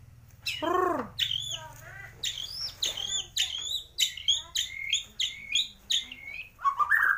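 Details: Kalimantan white-rumped shama, Borneo Gembung form, known for copying swiftlets, sparrows and lovebirds: a low arched gurgle, then jerky sharp chirps repeated roughly twice a second over a low hum.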